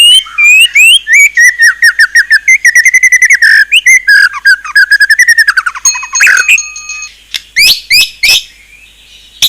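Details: A white-rumped shama delivers an isian song: fast runs of clear whistled notes sliding down the scale, then scattered sharp clicks and a few rising whistles toward the end.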